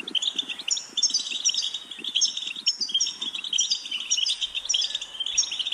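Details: European goldfinch song for training: quick chattering phrases of tinkling, high notes repeated about every half second, with low soft pulses underneath.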